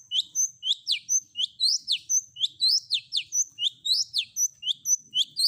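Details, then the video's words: Long-tailed shrike, combination fill-in song for training birds to respond: a rapid, steady series of sharp descending whistled strokes mixed with high thin notes, about two per second. "Cendet Manapun Bakalan Langsung Nyaut Dengar Suara Isian Kombinasi Cendet"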